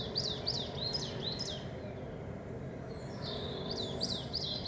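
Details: A Coal tit sings in spring, with great tits and chaffinches in the background, giving high, thin two-note phrases repeated rapidly, then a brief pause before a second burst, over a steady low background rumble.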